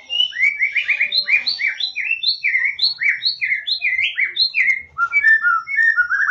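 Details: White-rumped shama in full song, offered as a lure to get shy shamas singing: dense continuous whistled notes alternating high and low in quick succession, shifting near the end to lower tumbling phrases.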